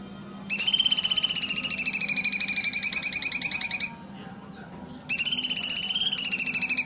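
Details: Cucak cungkok singing a long, rapid, buzzy rolling trill of pulsed notes with a metallic, harmonic-rich tone, held for about three seconds, then a pause, then another burst; low background hum.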